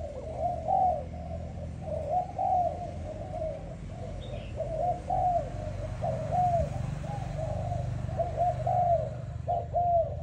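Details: Malaysian-type spotted dove, a young selected bird, giving steady rounded coos repeated through the passage in short phrases over a constant low rumbling hum.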